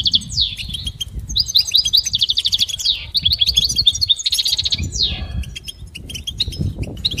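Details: Goldfinch singing for training: a lively, almost continuous stream of high twitters, trills and buzzy slurred notes, with some low rumbling noise underneath.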